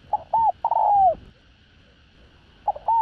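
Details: Spotted dove using the đồng rặc voice to call and coo wild doves in. Two quick wavering notes lead into a long sliding coo. After a silent stretch, another phrase starts. Steady faint humming sits in the background.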